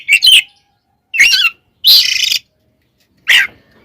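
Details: Oriental magpie-robin 'tarung konslet' fighting song used as a lure for rival magpie-robins: four harsh, buzzy, rasping bursts with a few whistled notes, separated by silences of about a second.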